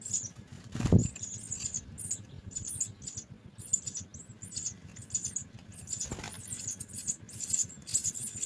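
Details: Begging house sparrow chicks at a nest during feeding, a near-continuous stream of high, scratchy cheeps, broken by two louder thumps, over a low humming background.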